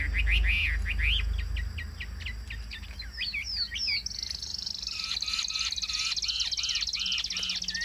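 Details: Caged Chinese hwamei singing well: rapid series of rising and falling whistled notes, then a long high shimmering trill with looping, warbled whistles repeated beneath it, over faint low background noise.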